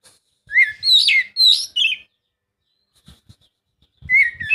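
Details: Oriental magpie-robin song used as a lure to get a reluctant bird singing: bright whistled phrases sliding between mid and high pitches, a fast burst of four notes, a pause with faint clicks, then more whistling.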